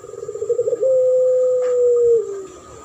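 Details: Spotted dove in a duet lure recording with a puter pelung dove, champion-style voice: a fluttering run of quick pulsed coos swells into one long, level, drawn-out coo that slowly drops at the end, over faint hum.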